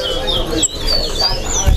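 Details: A Chestnut-bellied Seed-finch (towa towa) at a bird-singing competition in Lusignan, Guyana gives quick, thin, high whistled notes and short sliding phrases, over a murmur of crowd voices and a low background rumble.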